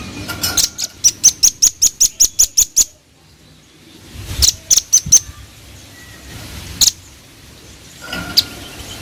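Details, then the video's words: Velvet-fronted nuthatch singing actively, giving a fast run of about a dozen sharp, piercing high notes, then a shorter burst of similar notes after a pause, with faint background hum and scattered clicks. "Suara Khas Burung Rambatan Paruh Merah Gacor"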